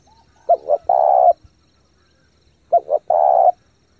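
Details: Spotted dove, a caged lure bird cooing fast to excite decoy birds and train new ones: two phrases, each two short clipped notes followed by a long, steady, throaty coo.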